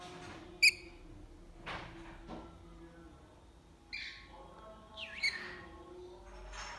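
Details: A lorikeet in the morning gives a few sharp, shrill screeches spaced irregularly over several seconds, with fainter harsh chatter between them and a low background hum.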